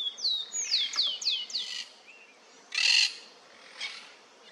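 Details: Yellow-billed cardinals (Paroaria capitata), several reacting to their reflection in a car mirror: five quick, high, downslurred whistles in under two seconds, then a short harsh rasp and a fainter one.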